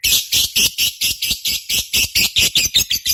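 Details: Lovebird sounds from a lure recording that simulates a singing contest: loud, harsh, squawky chirps repeated about four times a second in an even, pulsing series, high-pitched and rasping.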